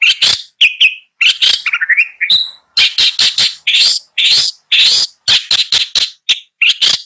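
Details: Long-tailed shrike singing a busy mix of harsh chattering notes, a short run of lower warbled whistles, and steady rapid rasping bursts throughout.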